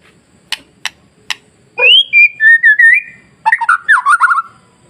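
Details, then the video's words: White-rumped shama masteran song, played to provoke other shamas into singing: three sharp clicks, then loud whistled phrases gliding and warbling between low and high notes, with rapid trilled fragments. "SUARA MASTERAN KICAU MURAIBATU Pancing Murai Lain yang Takut Jadi Emosi dan gacor"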